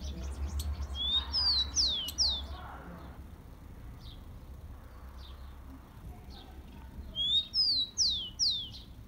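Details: Captive Rufous-collared sparrow song, played for warming up caged birds: two phrases of a thin rising whistle followed by several sliding downward whistles, the phrases about six seconds apart, over a low rumbling background.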